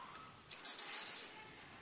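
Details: An aggressive female European greenfinch gives a quick burst of about six high, thin chirps in under a second, with a faint background hiss.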